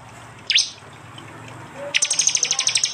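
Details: Prinias of East Java, Android phone recording mixed from prenjak and jali voices: one sharp V-shaped whistled note, a pause, then a rapid series of about a dozen high clicking notes.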